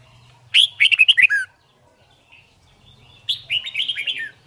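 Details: Red-whiskered bulbul singing for competition song training: two loud bursts of rapid, warbled, chattering notes, each about a second long and separated by a quiet pause, with a faint low hum underneath.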